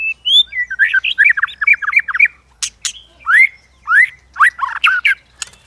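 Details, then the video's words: Provoking song of a White-rumped shama, a varied many-voiced song with steady clicking used to stir other shamas into fighting song: fast warbled runs, sharp cracking clicks, and downslurred whistles repeated about once a second. "Chòe lửa kích lửa CỰC HAY-NHIỀU GIỌNG ,tạch liên tục đập đuôi kích chòe lửa lên lửa hót đấu."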